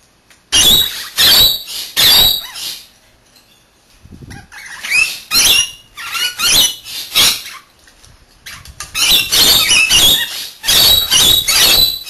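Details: Two pet rainbow lorikeets taking turns bathing give harsh, shrill screeches in quick bursts, about one every half second, with brief pauses between volleys.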